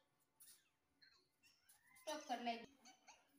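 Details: Pet parrot talking and saying "Mummy" indoors. After faint scattered sounds comes one short, harsh, voiced word about two seconds in, with a few soft noises after it.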